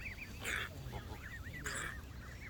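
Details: Canada geese calling in a group, clear bouncing two-note honks that rise and drop, tumbling one after another, interrupted twice by short loud hissing splashes over low rumble.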